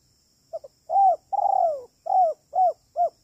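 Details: Lure recording of a spotted dove, "kuk 3" style, for trapping: a soft double note followed by a long wavering coo and four short, rounded coos.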